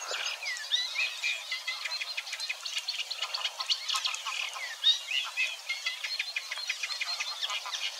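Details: Eurasian Reed Warbler in song at Wetering West, Overijssel, May 2022, burbling and imitating a little; busy, churring chatter of clipped repeated notes, with a few brief sweeping whistles mixed in.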